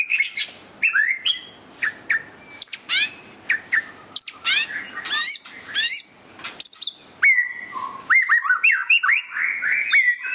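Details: White-rumped shama giving display song: a long, varied sequence of sharp clicks, steeply rising whistles and chirps, ending in a rapid string of warbled, fluty notes.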